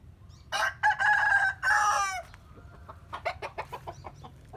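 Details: Morning rooster crow: a loud, hoarse cock-a-doodle-doo with a short opening, long steady middle and sliding end, followed by a rapid series of clucks.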